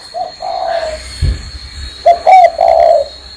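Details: Spotted dove cooing while perched on a hand: a short low coo phrase, a soft thump, then a louder two-part coo ending in a drawn-out hollow note.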